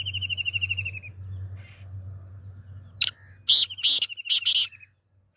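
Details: Black francolin (kala teeter) calling: an opening buzzy, rapidly pulsed note lasting about a second, a pause with low hum, then a loud series of harsh grating bursts mixed with a sustained high tone, ending abruptly.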